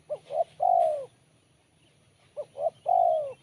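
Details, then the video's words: Kuk 1 style song of a spotted dove, sharp and crisp. Two phrases, each of two brief rising notes leading into a long, smooth falling coo, separated by about a second of quiet. "Poin BL Kuk 1 Suara Mersik Tajam"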